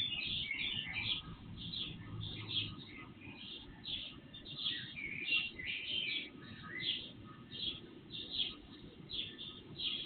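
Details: Birds singing at night before sunrise into early morning, picked up by an IP surveillance camera, sound raised threefold; continuous busy chorus of quick chirps and short trills from several birds, with low rumbling noise and a thin hum.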